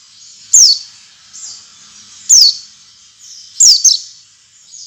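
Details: Oriental white-eye lure song meant to get other white-eyes singing: three brief, high, sharp downslurred whistles spaced over about five seconds, with a faint high hiss between them.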